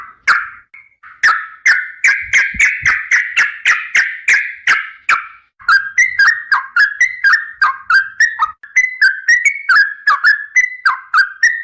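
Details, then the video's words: Sooty-headed bulbul in the 'ropel panjang' tutor style: a steady stream of quick whistled phrases, buzzy at first, then sharper downward-swooping notes repeated roughly three times a second for the whole stretch. "SUARA BURUNG TRUCUKAN GACOR"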